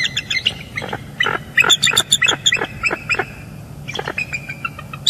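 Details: Bald eagle pair calling together at their nest in northeast Florida, early morning in January, recorded by live nest cam as the male arrives to take over incubating the eggs. Bursts of high, squealing chitters and piping notes, pausing, then resuming.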